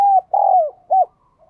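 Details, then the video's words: Spotted dove cooing, a sound meant to make captive doves coo: a brief phrase of three low, hollow notes, with the middle note longer and sliding downward, in quiet surroundings. "Chim Bổi Nhà bạn Không Chịu Gáy Vì bạn chưa Mở Tiếng cu gáy này"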